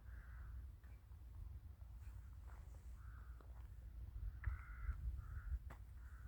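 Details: Crows in a village in winter, giving several hoarse, mid-pitched caws spaced through the recording, fairly distant, with low rumbling background noise and soft footstep-like sounds.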